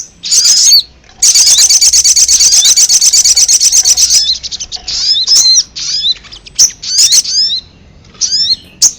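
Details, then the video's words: Ruby-cheeked sunbird lure recording used to attract wild birds: a long rapid high-pitched trill of sharp repeated notes, then separate thin downslurred chips and short twittering phrases with pauses. "Suara pikat burung sogon paling ampuh"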